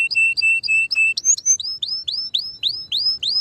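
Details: Singing canary: a run of level, steady whistled notes repeated about four times a second, then a quick series of high, bright rising upsweeps in rapid succession, clean and loud.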